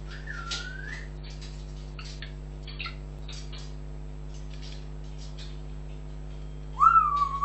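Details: Pet African grey parrot whistling indoors: a smooth gliding whistle near the start, faint clicks and chirps in between, then a louder wavering whistle that rises and falls at the end, over a steady low electrical hum.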